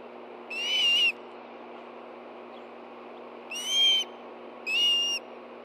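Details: Ospreys calling at a nest in Hellgate Canyon, Montana, in late August 2013 as a fish is brought for two hungry birds: three loud, rough, harmonic whistles spaced a second or more apart, with low hiss behind.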